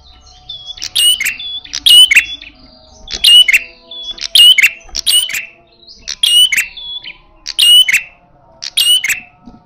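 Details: Fierce red-headed prinia in fighting mode, loud and aggressive: harsh rasping bursts with bright whistled streaks, repeated roughly every second, about eight bursts in all, each paired with a short clear whistle before it; faint hum behind.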